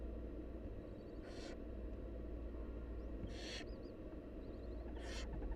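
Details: Begging of wild barn owl chicks during a feeding by their mother: three breathy hissing screeches spaced about two seconds apart, with faint high twittering between them and a steady low hum.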